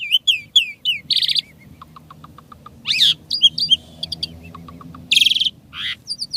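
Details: Energetic gacor song of an Asian pied starling with isian tembakan fill-ins: sharp whistled slurs, dense buzzy bursts, quick chattering trills and soft evenly spaced pips, delivered in rapid varied phrases over a low steady hum.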